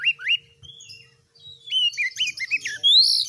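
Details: Oriental magpie-robin in vigorous song meant to challenge other birds: two rising whistled slurs, a pause, a run of short looping whistles, then a loud harsh rising screech at the end.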